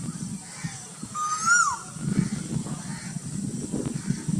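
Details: A single rising whistle from a cuckoo at Burdwan. It climbs smoothly, then falls away sharply, over a continuous low background rumble.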